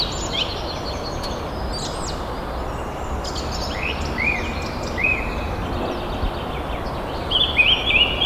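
A crested serpent eagle gives clear, ringing whistled notes, a few short slurred ones and then a quick run of bright whistles at the end, over a steady hiss.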